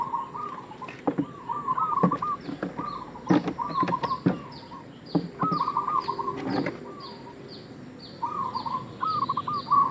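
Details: Bait call of a local zebra dove: repeated short trilled cooing phrases broken by sharp clicking and knocking sounds, while high descending chirps from other birds or insects run through the background.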